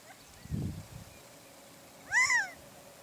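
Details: Gambel's quail calling in a wetland at Moapa, Nevada, gives a single nasal, meow-like note that rises then falls, after a soft low thump against quiet background hiss.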